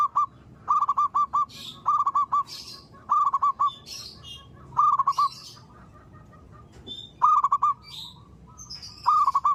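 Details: Zebra dove singing in the morning, repeating short stuttered cooing phrases of four or five soft notes about every two seconds, while other small birds chirp higher and a faint twittering is heard now and then.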